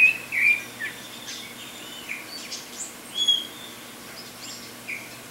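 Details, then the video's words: Saffron finch (Sicalis flaveola) giving high, thin chirps and short whistled notes in loose, irregular bursts over a few seconds, with faint other bird notes behind. "CANÁRIO-DA-TERRA (SICALIS FLAVEOLA), SAFFRON FINCH, CANARINHO, CABEÇA-DE-FOGO"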